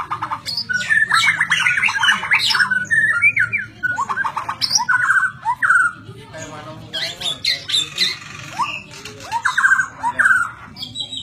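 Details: White-rumped shama singing a rich, varied song of rapid slurred whistles, harsh chattering bursts and rising-falling phrases in quick succession, with a low steady hum and faint voices underneath.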